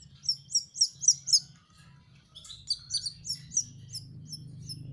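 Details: Canary youngster learning its song: five loud, high chirps in quick succession, a short quiet gap, then a softer chattering series of twittered notes while a low droning hum grows louder.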